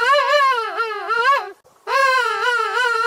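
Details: King penguin in a huge colony gives two loud, brassy trumpeting phrases with a rapid warble, each about 1.5 seconds, split by a short pause; individually distinctive calls let partners and chicks recognize each other.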